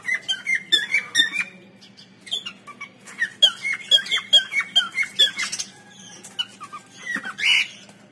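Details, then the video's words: Cockatiel song in a small room: repeated short whistled notes with sharp upward and downward slurs, phrased in rhythmic runs about twice per second, closing with a brief squawk. "Singing Cocktail"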